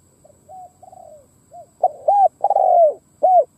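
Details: Spotted dove serving as a decoy, cooing to call in wild doves. Soft, flat, wavering coos build into loud arched notes and a long, rough, downward-sliding coo, ending on one clear arched coo.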